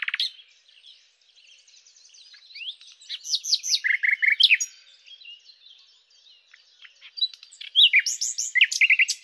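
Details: Luscinia megarhynchos in song, the common nightingale: quiet scattered notes build to bright slurred whistles and a short series of buzzy repeated notes, then a pause and another loud burst of varied phrases.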